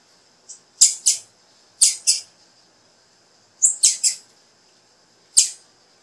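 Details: Female blue-black grassquit (tiziu) calling to encourage a male to sing: sharp, high, clicking chips, mostly in quick doublets or triplets, separated by pauses of about one to one and a half seconds. The background is quiet.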